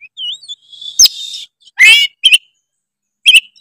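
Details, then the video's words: Tretes kacer, oriental magpie-robin, singing to rile rival birds: a soft whistled warble, a long buzzy note, a harsh rasping burst and sharp clipped chirps. "pancingan kacer tretes gacor full isian bikin lawan auto emosi denger suara kacer tretes satu ini"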